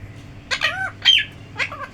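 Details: Talking parrot gives three quick harmonic syllables in two seconds, the first with a smooth arching tone, the last a short falling slide.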